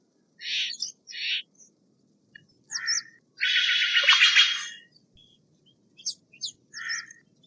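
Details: Steller's jay uttering two short rasping squawks, then a long grating rattle of more than a second, followed by a few thin, sharper notes.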